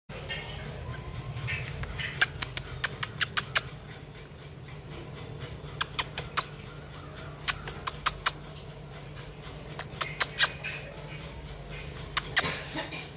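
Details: Budgerigar, apparently feeling alone, gives quick bursts of sharp, clicky chirps separated by short pauses.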